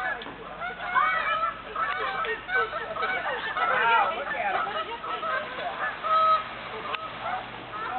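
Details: Geese on a lake in August 2007: a busy chorus of nasal honks and yelping calls overlapping throughout, with some human voices mixed in.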